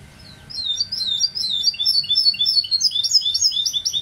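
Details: Goldfinch hybrid singing a rapid, busy stream of high twittering notes that starts after half a second of quiet and runs on with quick chirps and short slurred whistles, with no other sounds.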